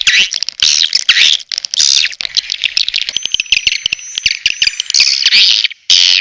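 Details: A lure call from Borneo meant to draw swiftlets in. Rapid, shrill twittering and buzzy chirps overlap, with a thin steady whistle running through the middle.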